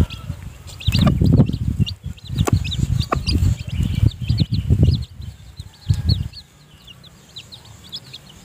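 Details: Mother hen feeding newly hatched chicks in her nest; high, thin chick peeps run throughout beneath loud, low, bursting sounds in the first six seconds.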